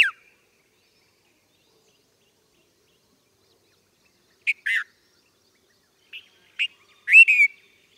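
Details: Red-vented bulbul calling against a silent background: after a long quiet stretch, short bright chirped notes arrive in scattered bursts, first a downward-slurred pair, then single clipped notes and a loud, slightly burry three-note phrase at the end.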